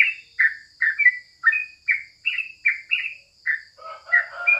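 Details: Morning song of the crucukan or yellow-vented bulbul: evenly spaced, downward-slurred chirps about two per second, turning into a lower, rougher jumble at the end. A steady high hum continues behind.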